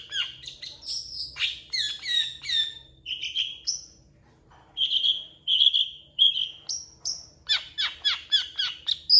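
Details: Long-tailed shrike mimicking song, rich rapid phrases of chirps and squeaks, a short pause, then clear whistled notes and a final burst of fast downward-sweeping calls.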